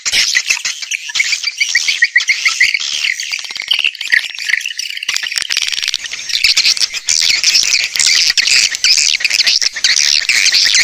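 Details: Swiftlet lure sound, a hi-fi stereo recording made to attract swiftlets through outdoor and indoor speakers: dense, overlapping high twittering and rapid chattering from many birds, with sharp clicking ticks throughout.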